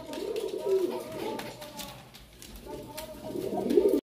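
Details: Indoor pigeon giving two bursts of low, throaty, bubbling coos, one early and one at the end, with a human voice talking in between.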